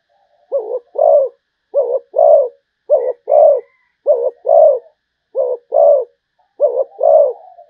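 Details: Steady song from a Malaysian zebra dove: six evenly spaced phrases, each a short clipped coo and then a longer rolling coo, roughly one phrase per second over a silent background.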